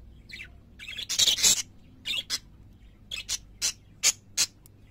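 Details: Pet parakeets singing: loud bursts of harsh, scratchy chirps, a dense cluster near the start followed by about seven short separate squawks spaced roughly a third of a second apart, over quiet background.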